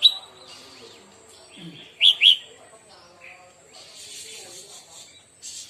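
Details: Red-whiskered bulbul singing during morning singing practice: a couple of sharp, bright chirped notes in quick succession near the middle, with faint softer warbling and a low background murmur.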